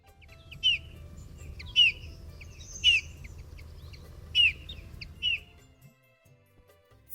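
Eurasian bullfinch giving five short, soft, slightly falling piped notes spaced about a second apart, over a low background hum.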